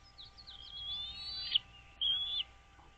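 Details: Wild American bald eagle on a nest-camera recording from Dale Hollow Lake on the Kentucky-Tennessee line, 09.04.2023, 08:29: a long, thin, high whistle followed by a shorter whistled note, with a low electrical hum beneath.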